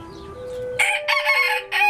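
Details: Bantam rooster from a cage-free backyard flock in a city, crowing: a loud, harsh, broken crow in three bursts lasting about a second, starting abruptly after a quiet lead-in, over steady background music tones.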